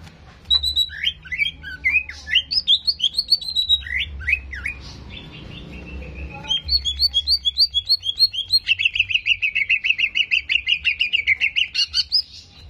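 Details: Greater green leafbird song used to trigger aggression before competition: varied downslurred whistles, a brief quiet stretch, then long rapid series of short whistled notes, accelerating into a dense trill near the end.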